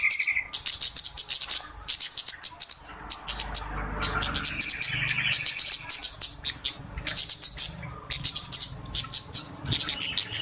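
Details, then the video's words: Flowerpecker lure call for trapping birds, a noisy chorus: dense, very high-pitched ticking chips in rapid clusters with short pauses, plus a brief lower buzzy note and faint low background rumble. "SUARA PIKAT BURUNG KEMADE RIBUT/ BURUNG CABE-CABEAN"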